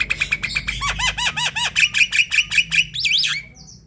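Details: Javan myna in full voice, played to coax other mynas into song: rapid even chirps giving way to a row of curved whistled notes, then a looping squeal that fades out.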